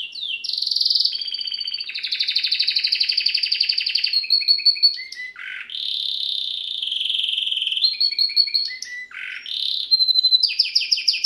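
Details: Domestic canary, Serinus canaria, singing a training song: fast rattling trills alternate with short falling whistles, dipping buzzy notes and long steady high tones, the pattern repeating across the phrase.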